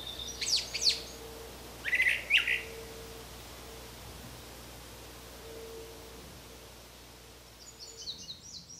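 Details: A Brown Thrasher in Canada gives two short bursts of harsh, chirpy notes about a second apart, then a thin high series near the end, over a steady low hum.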